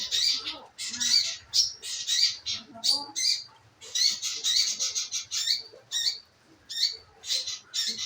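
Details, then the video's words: Scarlet minivet lure recording meant to make the bird sing, packed with rapid, piercing high chips and squeaky notes in dense clusters, briefly pausing before resuming. "pancingan burung manggaran agar maun bunyi"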